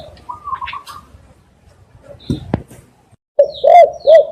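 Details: Spotted dove cooing as a lure for doves: faint chirping and a sharp clack first, then two or three loud, deep, round coos near the end.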